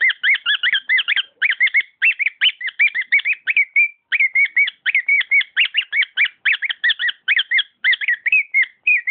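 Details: Domestic cockatiel singing lively, jumbled whistled phrases, quick rising and falling notes grouped into bursts with brief silences.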